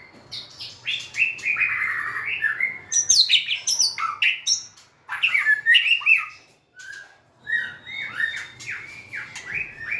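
White-rumped shama singing a rich, varied run of loud whistles, slurred warbles and sharp chirps in quick bursts, with brief pauses between phrases.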